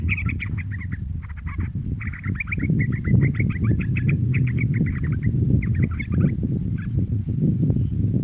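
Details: Young trucukan (yellow-vented bulbul) used to excite trucuk birds into song; bursts of quick chattering chirps in runs of several seconds, nearly drowned by strong low rumbling background noise.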